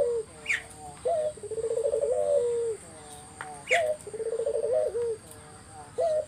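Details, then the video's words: Lure song of a spotted dove for drawing replies from other doves: a short rising coo then a quick rolling trill with a falling end, repeated about every two and a half seconds, while other birds chirp faintly. "Burung puter mana yang ga ikut nyaut kalo dengar GACORAN puter ini"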